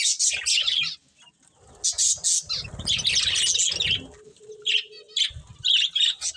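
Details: Budgies chirping while eating, high squeaky notes in bursts, with a stretch of low rustling and fluttering around three seconds and a short steady hum afterward.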